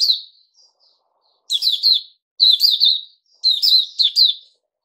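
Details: Kept Puteh Raja bulbul, fed a mealworm and fruit juice, sings three bright bubbling phrases about a second apart, each of several quick rising-and-falling chirps, after a few soft opening notes.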